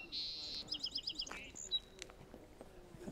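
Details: In forest at Birch Bay State Park, Blaine, Washington, a territorial Song Sparrow comes up after pishing and sings a quick, high phrase: a buzzy opening, rapid paired notes, a lower buzz and sharp chips, over faint voices.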